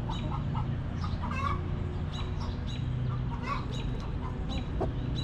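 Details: Relaxed backyard hens in a coop give sporadic clipped clucks, a brighter rising call around the middle, and a few faint notes, with a persistent low mechanical-sounding hum.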